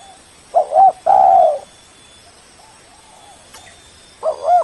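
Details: Spotted dove lure call aimed at a rival. Opens with a loud broken double coo and a long low coo, then a quiet stretch with a faint coo, ending on another strong double note.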